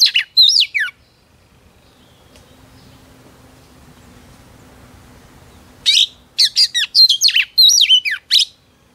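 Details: Female Oriental magpie-robin singing to excite males: short buzzy, slurred notes, a long stretch of low background hum, then a lively burst of repeated whistles and rasping notes.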